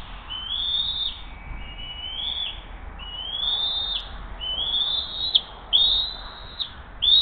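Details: Bald eagle nest at Hays, early morning of June 20, 2023, as the mother arrives with the day's second fish and feeds the eaglet. A run of six high, thin, slurred whistles, each rising then dropping, roughly one per second.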